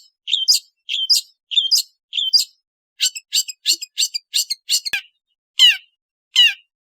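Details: Long-tailed shrike giving four two-part chirped notes, then a quicker run of about eight short clipped notes, followed by two louder, harsher descending rasps, with a single sharp click near the middle.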